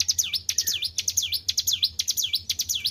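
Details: Captive white-browed shortwing in full song after careful keeping, delivering a fast run of sharp swooping whistles that drop and rise again, evenly spaced, over a faint low background hum.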